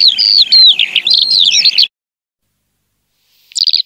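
A Eurasian skylark pours out a rapid, high, continuous warble of tumbling trills for about two seconds, then a pause and a brief final burst.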